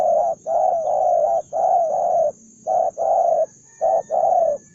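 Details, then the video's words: One hot-tempered, fight-ready Spotted dove giving loud hoarse coos, a brief note then a longer held one, repeated in pairs with short pauses, over a thin steady high background hiss. "bổi 01 con đồng son hung hăng hiếu chiến như bọ xít"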